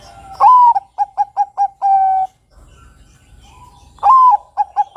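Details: Singing zebra dove of the Bangkok perkutut type: a long coo, four short even coos and a sustained flat note form one phrase; after a quiet pause with low rumble, the phrase begins again.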